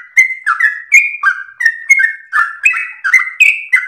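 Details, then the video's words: Melodious song of a sooty-headed bulbul, recorded for training other birds: a short, dense string of clear whistled notes stepping between higher and lower pitches, each starting with a sharp tick. "trucukan gacor lagu MERDU ropel nafas panjang TERBAIK buat masteran pancingan"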